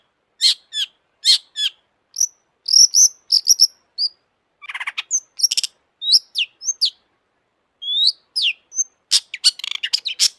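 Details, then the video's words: Energetic, agitated song of a long-tailed shrike: dense bursts of high chips, squeaky slurred whistles and rapid twittering phrases, with varied notes tumbling quickly over ten seconds. "kicau burung cendet gacor FULL EMOSI"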